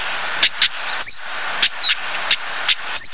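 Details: A singing stonechat (Saxicola torquatus) gives dry, clicking notes in pairs and two thin, high, downslurred whistles about two seconds apart, over a steady rushing hiss.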